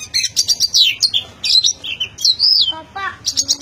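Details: Oriental magpie-robin in unbroken song: rich whistled phrases sliding up and down, interspersed with quick chirps and a lower fluty passage, delivered continuously in a rapid varied stream.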